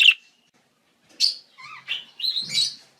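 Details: Budgerigars chirping: a sharp note, a pause, then a quick run of short whistled and buzzy notes, some sliding, ending in a warbled chatter.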